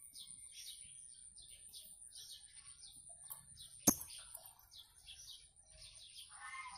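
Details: Blue-crowned hanging parrot singing 'gacor': a steady series of brief, shrill, high chirps given several per second, quieter toward the end, with a sharp tap midway and a constant faint high whine.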